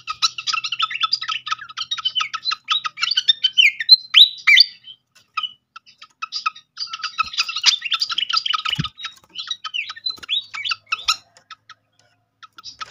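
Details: ['Srikatan (flycatcher) song played as a lure to trigger other birds to sing: rapid, dense bursts of high twittering and chirping notes with short squeaky whistles, pausing briefly midway before resuming; one faint low thump.']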